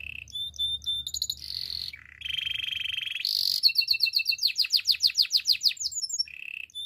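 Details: Spanish timbrado canary song for training: steady metallic trills, a buzzy low roll, then a fast series of descending whistled notes repeated about three times a second, ending on a short buzzy phrase.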